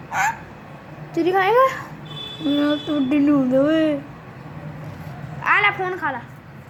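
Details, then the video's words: Talking parrot producing short speech-like phrases with bending, wavering tones, separated by pauses, over a low background hum. "Talking parrot"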